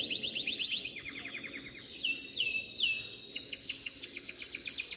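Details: Canaries from a breeding setting singing a lot: fast, repeated high trills and slurred, whistled notes that sweep down, with shifting phrase types throughout and no other sounds.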